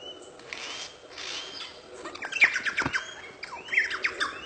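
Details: Lyrebird imitating other birds and laser guns: a varied jumble of harsh squawks, chirps and quick downward-sweeping whistles, the loudest bursts bunched in the latter half against faint rural background hiss.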